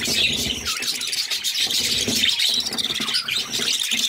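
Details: Six budgerigar chicks at feeding time with their mother: steady, buzzy, high-pitched chattering, harsh and overlapping throughout, with brief louder pulses.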